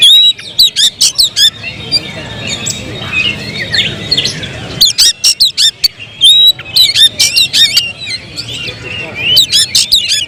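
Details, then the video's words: Oriental magpie-robin delivering a long stretch of song with clusters of sharp clicking, ticking notes between bright whistled slides. Phrases come in irregular groups, with a quieter patch near the middle. "suara kicau burung Kacer"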